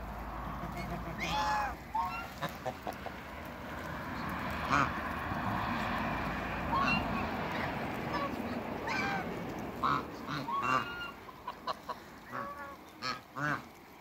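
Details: African and Toulouse domestic geese at a Greek waterbird farm greeting a newcomer: repeated nasal honks scattered irregularly through the recording, some in quick pairs, with low engine-like hum and voices beneath.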